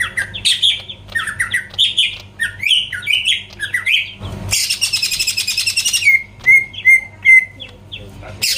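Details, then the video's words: Greater green leafbird lure song for provoking rival birds: jumbled varied whistled phrases, then a long dense buzzing chatter, followed by a few clear, evenly spaced whistled notes. "PANCINGAN CUCAK IJO GACOR BUKA PARUH BIKIN LAWAN CEPAT ON LANGSUNG EMOSI DENGAR SUARA INI"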